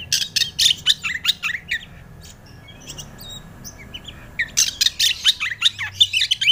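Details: Oriental magpie-robin song used as a lure to get another magpie-robin singing: bursts of sharp, chirpy high notes and squeaky trills, pausing midway, then resuming. Faint low hum underneath.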